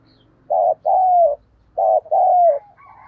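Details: Loud spotted dove decoy cooing to attract wild birds; two paired phrases, each a short burry coo followed by a longer falling coo, over a faint low hum.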